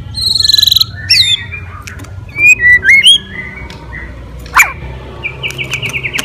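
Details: White-rumped shama fighter song meant to rouse other birds: a rapid buzzy trill opens, followed by scattered sharp whistled upslurs and short clicks, ending in a fast repeated chattering series over low background rumble.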